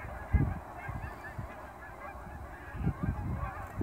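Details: Large flock of Canada geese leaving ponds for grain fields at sunrise in fall, near the airport in Dawson Creek; steady mass of distant honking with louder honks at the start and near the end.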